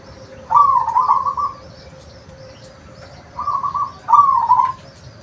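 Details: Original call of a local zebra dove for use as a lure: rapid stuttering, rolling coo phrases, one longer at the start and two shorter ones close together near the end, over a low hum and hiss.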